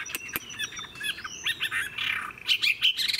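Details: Mature wild-caught Chinese hwamei singing a short, broken passage of whistled slurs and sharp chips over a steady background hiss, ending in bright, looping whistles.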